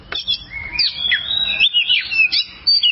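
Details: Oriental magpie-robin singing, recorded as training material for other songbirds: quick rich whistles, rising slurs and sweet twittering notes, delivered in rapid pulses over three seconds with a faint low rumble.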